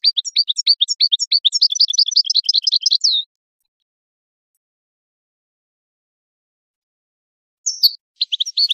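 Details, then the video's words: European goldfinch singing to encourage mating: a fast string of bright, tinkling twitters lasting about three seconds, a long silence, then another burst of high chirps starts. "improving goldfinch singing skills exercises and training"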